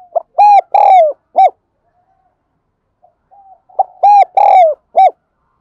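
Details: Spotted dove decoy call used to lure wild doves: two hollow cooing phrases about three and a half seconds apart, each with short and long notes and a clipped ending, a faint soft note between.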